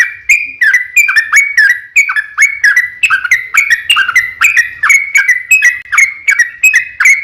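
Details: Yellow-vented Bulbul (trucukan) in energetic long 'ropel panjang' singing, used to lure other trucukan to answer; a rapid, unbroken chatter of short bubbly whistled notes that dip and jump in pitch, clear and close.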